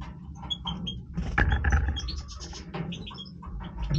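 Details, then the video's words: European goldfinch of the Major type in breeding voice, producing a rapid jumble of short high tinkling notes and twitters over loud low-pitched background noise and scratching. "Stieglitz Major Breeding Voice - singing Goldfinch Part 1 طائر الحسون الرائد"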